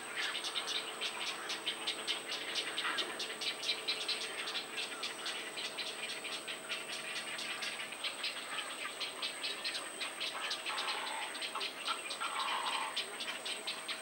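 Baya weavers chatter in a dense, rattling stream of rapid clicks and buzzy notes.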